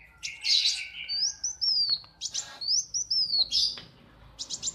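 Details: Morning song of a caged kolibri wulung sunbird at a workshop, a bird used as a song master: bright buzzy chatter, then high sliding whistles that drop in pitch, broken by sharp tweets and ending with quick chirps.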